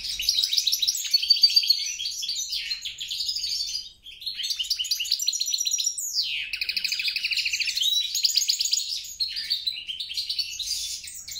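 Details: Song of a goldfinch hybrid mule, European crossed with grey-crowned: busy high twittering phrases, a momentary pause around four seconds, then a sliding note leading into rattled trills and liquid chirps.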